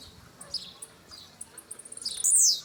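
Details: A brownish 'pardinho' blue-black grassquit singing. Scattered soft high chips build toward one loud, buzzy, slurred note near the end. A light hiss of background noise runs underneath.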